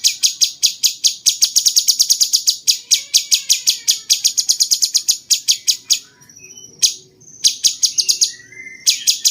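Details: Cucak cungkok bulbul, kept at a bird farm, song used as a training master for competition songbirds; rapid series of sharp dry clicking notes about five per second, a short pause, faint thin whistles, then the clicking resumes.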